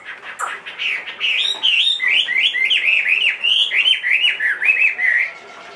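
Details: Caged Chinese hwamei, large-bodied and two and a half years old, pouring out a fast string of repeated looping whistled notes, each bending up then down, several per second.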